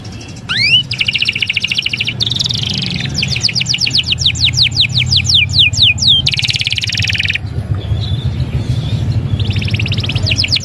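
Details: Canary in energetic, non-stop singing, delivering fast runs of repeated high trills, rattling buzzy bursts and sweeping rising notes in quick tours with brief pauses, over a steady low hum in the background.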